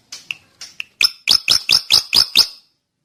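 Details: Drongo singing: a few soft introductory chirps, then six loud, sharply upslurred whistles in quick regular succession.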